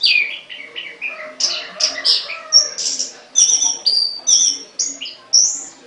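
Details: Caged songbird pouring out varied high chirps and whistles, descending slurs early, then regularly spaced bright notes about twice a second.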